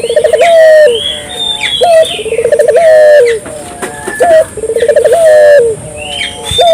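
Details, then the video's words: Dove calls given to stimulate local doves into calling: bubbly, stuttering coos in low pulsed runs ending in a longer sustained note, repeating about every two seconds, with high thin chirps of other birds over the top. "suara burung puter gacor,merangsang burung puter lokal ikut gacor"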